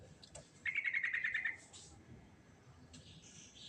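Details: Sooty-headed bulbul singing in the ngerol style: one quick bubbling phrase of about eight warbled notes near the middle, lasting under a second, over faint background hiss and a few soft clicks.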